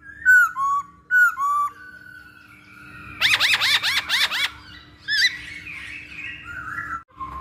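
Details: Masked laughingthrush lure song: two loud down-slurred whistled notes, a held whistle, then a fast burst of four arching harsh notes and softer warbling, over a faint hum.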